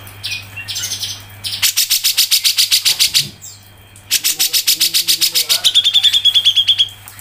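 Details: Grey-cheeked bulbul in ngepik song for a songbird tutor recording: two long bursts of rapid, even, sharp ticking notes, the second ending in a thin level trill, with a brief pause between bursts and a low background hum.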